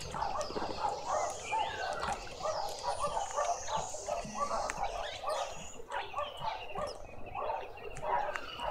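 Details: Chattering chorus from a juvenile green woodhoopoe in a suburban Pretoria garden, South Africa: continuous pulsing cackles of low, hoarse notes rising and falling in waves for several seconds, with scattered high bird chirps.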